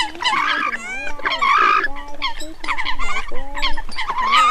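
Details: Eurasian coot calls played as a lure for night net trapping of migrating birds, August 2023 season: overlapping nasal, honking notes with strong harmonics in quick irregular bursts, several calls layered, little background.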